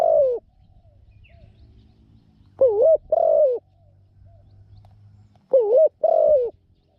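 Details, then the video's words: Spotted dove kept as a trapping decoy, praised for a small voice and good cooing: short husky coo phrases of two wavering notes, each about half a second, repeated every three seconds over a faint steady hum. "นกต่อตัวใหม่ "จ้าว บัวขาว " จัดเชลย เสียงเล็ก คูเก่ง หมานๆ คับ"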